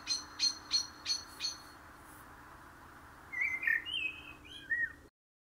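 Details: Common blackbird song: a run of five sharp, high repeated notes, a pause, then a short burst of fluty, warbling whistled phrases over a faint steady hum.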